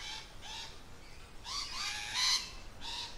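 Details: Lorikeets in their natural habitat give harsh, grating screeches in quick bursts, about one every half second, some rising and rasping louder, over a faint background hiss.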